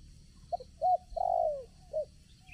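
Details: Spotted dove used as a decoy to lure wild doves for trapping at a new site: a cooing phrase of a short note, an arched note, then a long loud falling coo and a final short note, with faint high chirps behind.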